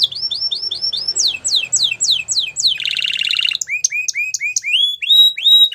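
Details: Belgian canary singing a training song: series of rising-then-falling whistled notes, a run of steeper descending slurs, a loud buzzy roll, then clipped upward-hooked whistles and drawn-out swooping notes.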